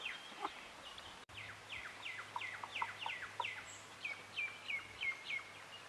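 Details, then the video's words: Chickens and chicks: a rapid series of high, downward-slurred peeps repeats about three times a second, with fainter clucks underneath and steady background noise. "Chicken's Chicks Sounds and Chickens Clucking Sounds - Chick Noises Alarming Rooster Squawks"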